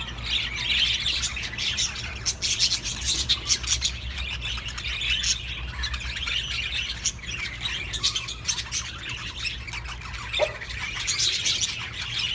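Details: Budgerigars calling to stimulate breeding, several birds warbling at once: chattering trills, squeaks and scratchy notes pour out continuously, with louder flurries near the start and end and one short lower squawk partway through.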